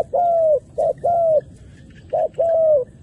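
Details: Decoy dove cooing to bring wild doves, male and female, down to the ground. Soft, even coos in short-long pairs, three long notes in about three seconds, with a quiet hum behind.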